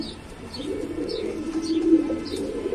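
A young pigeon gives low, soft cooing murmurs, with faint high squeaky notes above.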